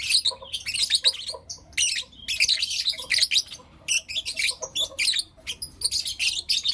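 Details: Morning chirping and calls from blue opaline and lutino opaline lovebirds kept as pets: almost continuous harsh, high, squawky chatter in rapid bursts, with only brief gaps.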